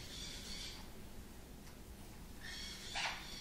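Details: Three-week-old pineapple green-cheeked conure chicks give two soft, raspy, hissing bursts of begging calls about two seconds apart, over a low background rumble.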